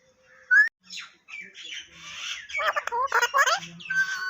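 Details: Parrot mimicking speech: a short sharp whistle, then a run of garbled, word-like syllables and chatter building in loudness, ending on a steady whistled tone; a man speaks Thai right afterward.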